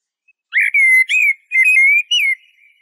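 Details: Eurasian blackbird singing a phrase of five smooth, clear whistles, some rising and some falling, each lasting under half a second. Clean, quiet recording.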